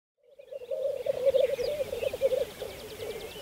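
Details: Black grouse at a spring lek on Saaremaa, Estonia, spring 2014: a continuous bubbling, cooing roo-koo chorus that rolls on steadily, with faint higher notes of other birds above.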